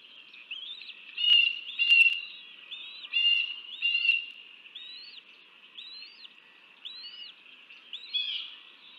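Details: Bald eagle at its nest while feeding young, John Bunker Sands Wetland Center, Texas, January 2024; sharp high chips give way to a string of thin, arched, whistled notes repeated steadily, over light background hiss.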